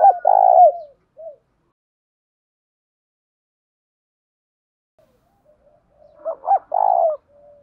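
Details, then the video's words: Spotted dove kept as a lure bird, calling to provoke rival doves into cooing: a low, mellow, throaty coo, a short note, a pause of several seconds, then a broken coo rising into another drawn-out coo. "tiếng cu gáy mồi thuần gáy gọi và thúc căng lửa"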